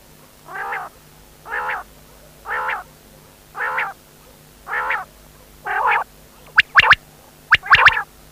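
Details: Quail calling: harsh, buzzy double-banded notes repeated about once a second, six in a row, followed by loud sharp clicks and knocks near the end.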